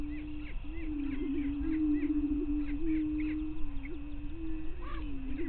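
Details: Greater prairie chickens at a lek on Bluestem Prairie Scientific and Natural Area near Glyndon, northwestern Minnesota, at 5:30 AM on 9 May 2023. A steady, wavering low moan runs through the clip, overlaid with scattered short higher cackling notes.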